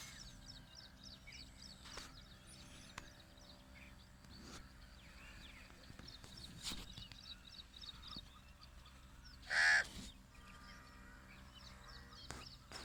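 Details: A crow looking for food gives a single loud, harsh caw midway, while small birds chirp in high, quick repeated phrases throughout over a low background hum.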